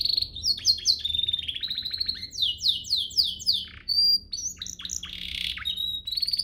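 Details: Domestic canary master song used to train caged canaries to sing: fast high chirps, rapid trills and sweeping whistled phrases, some descending in quick series, with a steady buzzy rolling stretch near the end and a faint low hum beneath.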